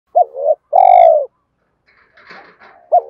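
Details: Spotted dove giving its fighting coo, used as a lure for trapping wild doves: a short hooked note followed by a long, low, slightly falling coo, then a brief rustling, scratchy noise and the next coo starting.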